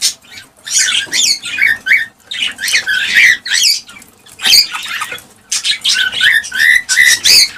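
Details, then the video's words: Cockatiels, sound used to stimulate breeding: raspy, scratchy chatter in short bursts with occasional clear rising whistles, broken by brief quiet gaps. "حفز طيور الكالوبسيت(الكوكتيل) على التزاوج والإنتاج بهذا الصوت القوي"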